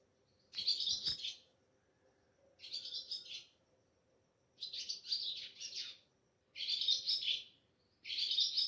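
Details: Ababil (swallow) chirping at a house in moonlight at Sehri time before dawn, recorded with a phone: five bursts of high, buzzy twittering, some with a lower soft knock beneath the first, separated by short silences.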